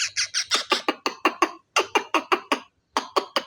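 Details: Baby parrot dancing while calling: a rapid series of short raspy squawks, about five or six per second, with a brief pause midway before the squawking resumes.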